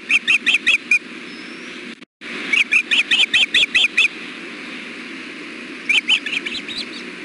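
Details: Osprey at the Hellgate nest on 6.4.16 around 4pm, during a fish delivery in which one bird gives its mate some bites. Series of short, sharp, high chirps repeated rapidly in bursts, with a brief gap, over steady background hiss.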